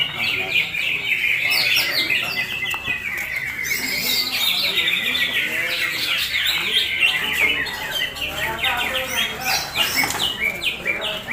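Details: Champion Sumatran leafbird delivering a long, unbroken run of rapid, varied chirps, buzzy phrases and short rising and falling whistles, closely packed with little pause, over a constant cluttered background.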